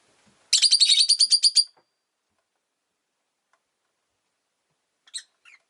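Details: Rosy-faced lovebird, a pet bird, delivering a fast rattling series of about a dozen shrill chirps in just over a second, then quiet, ending with two brief squeaks.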